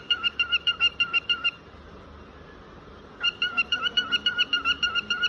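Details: A cockatiel sings a quick series of bright, repeated whistled notes, pausing briefly before starting again.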